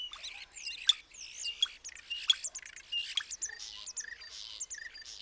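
Common starling pouring out a dense, varied jumble of whistles, clicks, buzzy rattles and sharp squeaky notes, changing every fraction of a second.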